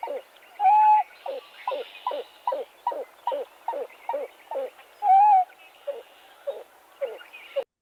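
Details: A Pied-billed Grebe gives a long, loud, rhythmic series of hollow, descending cuck notes, about two or three per second, broken by two drawn-out whistled wails, as if running out of air.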